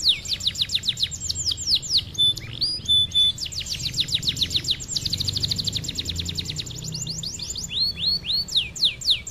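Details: Canary song for training other canaries and songbirds, loud and continuous: fast rattling trills of steep sweeping notes, a short pause with two flat whistles, then rolling trills again over low steady hum.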